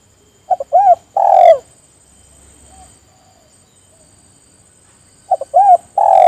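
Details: Spotted dove calling to rouse others into calling, two phrases about five seconds apart: paired short notes, then a curved coo and a long falling coo, the second phrase cut off at the end.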